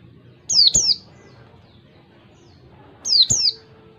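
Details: An Oriental white-eye, called pleci, singing the clear 'ngalas' wild-style song used as a tutor recording. Two identical phrases, each a doubled high, thin whistle dropping in pitch, about 2.5 seconds apart.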